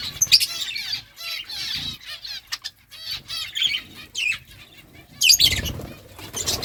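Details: Budgerigars eating food give bright, warbled chirps in scattered bursts, with soft flapping and rustling between the calls.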